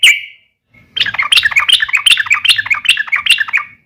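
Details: A single chirp, a pause, then a steady rapid chatter of repeated harsh notes from a yellow-vented bulbul giving its fighting call, meant to make other bulbuls answer back.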